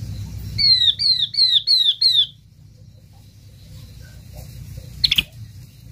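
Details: Yellow-eyed babbler lure call meant to gather the flock: five high, downward-sliding whistles repeated quickly over a low rumbling background hum, then one brief sharp click burst.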